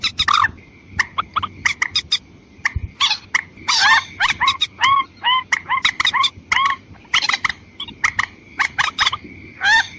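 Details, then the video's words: White-breasted waterhen lure for females and males, an almost unbroken stream of rough croaks mixed with upward-curving, yelping notes, over a steady high-pitched whine. "Pikatan burung mandar ayam ayaman betina dan jantan"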